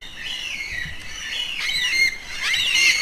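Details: Yellow-tailed black cockatoos, social birds that call to keep in touch within their travelling group, give overlapping wavering, harmonic-rich wailing calls that rise and fall. Several birds are heard, with faint outdoor background.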